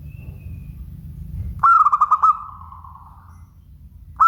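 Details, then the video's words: Local zebra dove singing one full phrase of about six quick pulsed coos that fade into a long soft tail, with the start of a next phrase at the end; low noise precedes it. "Suara Bening Burung Perkutut LOKAL"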